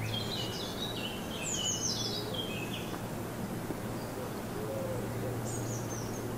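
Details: Wild birds singing in a garden in Germany on a sunny morning: high, thin twittering phrases with quick falling notes, then a short whistled trill later, over a steady low hum.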